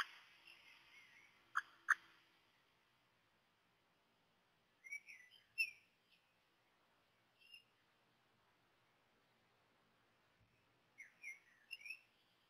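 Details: Common blackbird chicks in the nest on 18 May at 13:31, at their first feedings while still reluctant to take food: short bursts of thin, high, squeaky begging calls in two clusters, with a couple of sharp clicks near the start.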